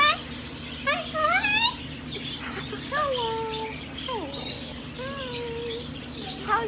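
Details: A young cockatoo, described as jealous, calls a person over with a run of swooping, speech-like squawks, some rising and some falling, about one every second or two, with a person's voice nearby.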